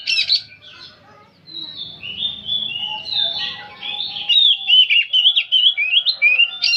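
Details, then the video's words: Continuous singing from an old oriental magpie-robin: a loud opening note, a soft lull, then a long flowing sequence of high, varied whistles and twittering trills. "Kacer tua jiwa muda nyerecet bunyi tanpa henti"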